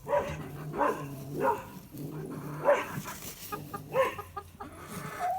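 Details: A hen, upset while her morning eggs are taken from the nesting box, gives harsh screeching calls in bursts roughly every second, rising and falling, with faint background rustling.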